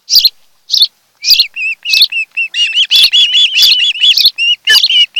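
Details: A few sharp high chirps, then a fast, accelerating chain of whistled notes from an osprey at its nest on Kent Island, Maryland, nest camera, 26 July 2018, afternoon.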